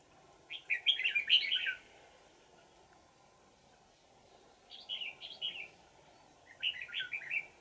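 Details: Old wild red-whiskered bulbul with a twisting bell-like voice, during trapping with a decoy on 20 December 2018: three quick phrases of bright, bubbling whistled notes, the first longest, with steady low hum throughout.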